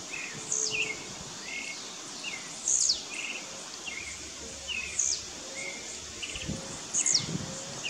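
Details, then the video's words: Blue-black grassquit (tiziu) rivals in a dispute in the bush: a short, sharp, very high buzzy note with a quick downward slur, given about every two seconds. Lower, softer chirps from other birds sit beneath it over steady background hiss. "Disputa de Tiziu no mato"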